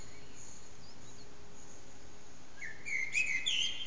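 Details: Common blackbird singing in the early morning around 4:40am in an echoing backyard, recorded on an HTC Desire phone. After quiet hiss, a late burst of whistled strokes near the upper middle range ends in high twittering.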